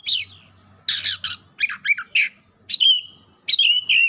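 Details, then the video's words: White-rumped shama pouring out varied song, harsh broad rasping bursts, twisting whistles and a long steady whistled note, with a faint low hum in the background. "KACER GACOR LANGSUNG MEMANAS NAIK EMOSI BONGKAR ISIAN"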